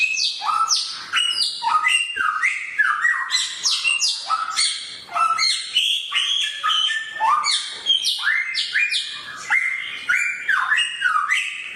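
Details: Sharp-voiced samyong bird in full song, an unbroken stream of loud, quick whistled notes leaping between high and lower pitches, with short slurs and chattering bursts throughout.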